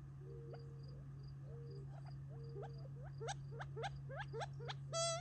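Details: Gambel's quail flock feeding near Tularosa Creek in July 2021, eating treats before retreating for the night; soft level notes, then hooked upward calls in quick succession, ending with one loud harmonic call, over a steady low hum and pulsing insects.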